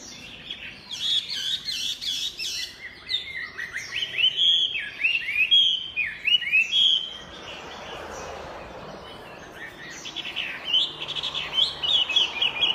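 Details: Chinese hwamei song: dense rapid twittering, then a run of loud upward-flicking whistled notes, a quieter gap with only background noise, then renewed bright phrases near the end.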